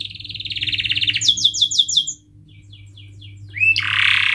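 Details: Canary song with a steady rapid trill, then a series of sharp downward-sweeping chirps, a quieter run of soft clicks, a rising whistle and a loud harsh burst at the end; low electrical hum in the background.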